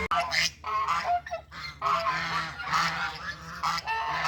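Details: Geese walking together to find food in countryside farmland, giving loud nasal honks in quick overlapping bursts, several birds calling at once with brief pauses between.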